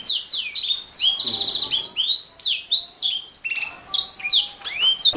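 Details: Canary singing as a master recording for training songbirds: rapid high downslurred whistles and a buzzy trill near the one-second mark, continuous and lively throughout.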